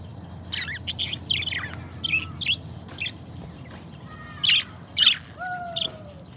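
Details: Two pet budgerigar friends give brisk, high chirps, a couple of louder squeaky notes, and a few faint drawn-out whistles, one sliding downward near the end.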